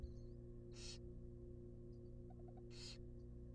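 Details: Begging barn owl chicks in a wild nest box as a rabbit is brought in: two harsh, noisy hisses two seconds apart, a quick run of soft ticking notes between them, and a steady mechanical hum beneath.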